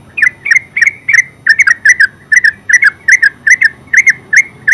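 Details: Terucuk, the yellow-vented bulbul, singing ngeropel: an unbroken, rhythmic chain of clipped chirps, mostly in pairs, each note with a crisp tick, held at a steady tempo throughout.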